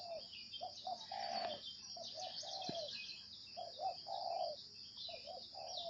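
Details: A spotted dove gives low cooing phrases in the 'gáy gù' manner: short notes, then a longer slurred coo, repeated in two matching phrases about three seconds apart, with a high droning whine underneath.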